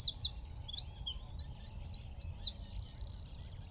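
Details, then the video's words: A Eurasian wren (Troglodytes troglodytes) sings from a tree at Wicken Fen, about 15 m away: a fast, high burst of sharp varied notes running into a dry, even trill, all in under four seconds. "Wren (Troglodytes troglodytes) - singing from tree"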